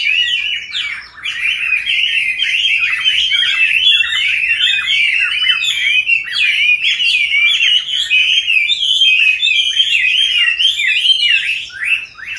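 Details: A long, vigorous outpouring from captive Chinese hwamei, one of several birds raised from wild capture into their fifth year: a continuous jumble of rich, rapid whistles that rise and fall without a break.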